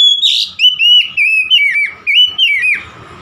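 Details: Oriental magpie-robin singing steadily to prompt a stressed, silent bird of its kind to sing: a rapid flowing run of loud whistled notes, slurred up and down, with a rough note at the start, about three seconds long.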